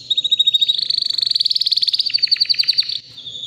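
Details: Powerful song of a white canary about three years old: fast rhythmic trills of pulsed notes, rising slightly and speeding up, then breaking into lower rapid strokes before a steady high tone.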